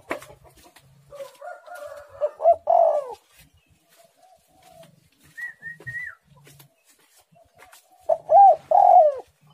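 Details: Spotted dove song from a bird described as very active and vocal: soft low coos building to loud hoarse coo phrases, a brief higher whistle midway, then another loud coo phrase.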